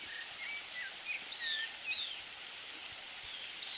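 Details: Streaked xenops (Xenops rutilans) in Carmo da Cachoeira, Minas Gerais, Brazil, giving thin, high, sharp notes, short and scattered at uneven intervals, over a steady hiss of rain or running water.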